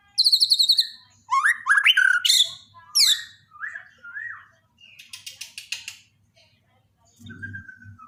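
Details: Daily tutor song of a Borneo white-rumped shama, meant to restart shamas that stopped singing. High whistles alternate with loud slurred bursts, then softer buzzy rattles and a thin whistle over a low thump.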